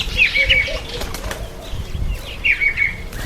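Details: Breeding-season masked weaver, September–October: bright, scratchy chattering bursts at the start and again after two seconds, with rapid sweeping notes between quieter gaps and some wingbeat sounds.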